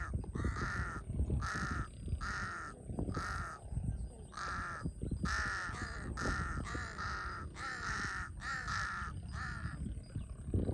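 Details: Large-billed crow calling near water in Cambodia, known locally as the thief-bird; a steady series of around twelve hoarse caws in quick succession, some doubled, with low rumbling noise beneath.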